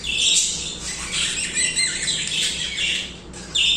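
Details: Budgerigars in continuous song, overlapping shrill chirps and buzzy chattering that run without pause, briefly dipping before a loud burst of squawks at the close.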